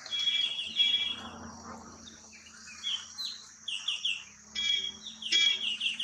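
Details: Square-tailed bulbuls (Hypsipetes ganeesa) at Nelliyampathy, Kerala, a hill-forest bird often in flocks: bright, slurred, high-pitched chirps and short whistled notes in quick, uneven, chatty bursts, several voices overlapping, over a faint low hum.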